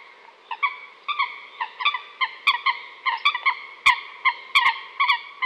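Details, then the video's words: A coot gives short nasal honks at a steady pace of about two per second, some notes doubled, with a few sharp clicking noises between them. "New coot best sound"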